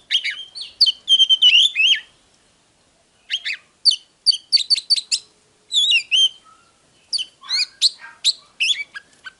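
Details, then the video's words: Oriental magpie-robin song from a file meant to provoke birds into singing and fighting: fast strings of clipped whistled notes and warbles in three dense bursts separated by short pauses. "Chòe than HÓT - DÉO"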